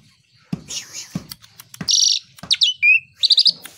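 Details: Black-winged starling morning song: a mix of harsh buzzy bursts, a descending whistled slur and a rapid chattering phrase, broken by several low knocking sounds.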